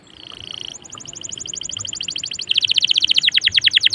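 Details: Canary in full song, played to prompt other canaries to join in: a held whistle gives way to rapid repeated clipped notes, then a loud, fast, rhythmic trill of rolling pulses about ten each second.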